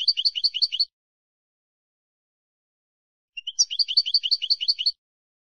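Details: Wild-type European goldfinch song meant for tutoring birds: a short burst of quick rattling twitters, a long pause, then a rising call note followed by a steady rolling run of repeated tinkling notes.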